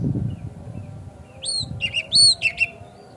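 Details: Oriental magpie-robin (kacer) lure song for prompting another kacer to sing and open its tail: soft faint whistles, then louder clear slurred notes, one long and drawn-out, followed by two short chirps; low rumbling noise at the start.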